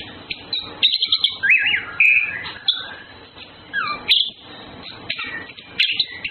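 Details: Courting male and female orange-headed thrushes: a rich, varied warble of quick whistled phrases, buzzy trills and sliding notes, delivered in bursts with brief pauses.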